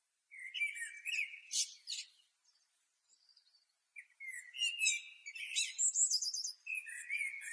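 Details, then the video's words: Blackbird singing in Asia: bright, varied warbled and twittering phrases in two bursts, with rapid high trills and chirps separated by a short pause. No other clear sounds. "Blackbird Singing / Bird Song"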